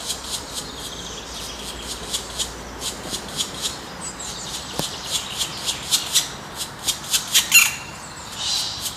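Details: Black woodpeckers at the nest while raising their young, in the wild: a steady run of short, hissy, high-pitched notes repeated about every third of a second, growing louder toward the end.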